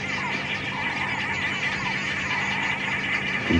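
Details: Arrow-marked babblers chatter together in a harsh, rasping, nasal group chorus that runs on without pause over a steady engine hum, heard during a morning safari drive at Djuma Game Reserve on 7 December 2015.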